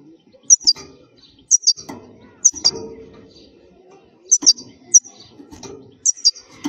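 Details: European goldfinch in khalwi style, a wild singer offered to tutor young goldfinches: short high twin notes repeated roughly every second, over a faint low rumble and scattered clicks.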